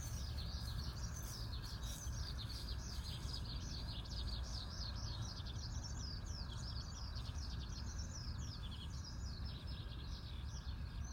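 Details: Eurasian Skylark at a campsite in Ibaraki Prefecture, Japan, the morning after strong wind, in a gentle breeze: a continuous high, rapid warbling song of trills and chirps over a steady low rumble of wind.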